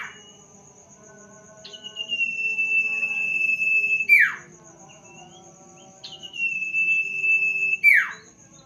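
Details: Night song of the sirtu bird: two long level whistles, each ending in a quick downward slur, spaced about four seconds apart, with a faint steady high-pitched tone and soft low background noise throughout.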